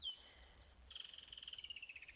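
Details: Woodland Kingfisher heard at sunset on safari, 19 March 2022: a sharp high note, then a long, rapid trill of about a dozen pulses a second that slowly slides downward, over faint background hiss.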